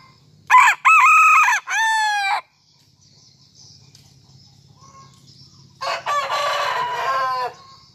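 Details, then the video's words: Morning crowing by a Serama chicken let out of its cage to perch on a hand: a loud three-part crow, brief pause, steady faint murmur, then a second rougher crow about five seconds later. "Koko Ayam Hutan Serama Rajin Berkokok Pada Pagi Hari"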